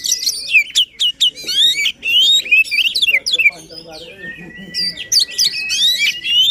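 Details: Vigorous white-rumped shama song to prompt a lazy bird to sing: quick whistled sweeps and chattering notes dominate the first half, followed by a softer stretch with a steady thin whistle, then more sweeping phrases.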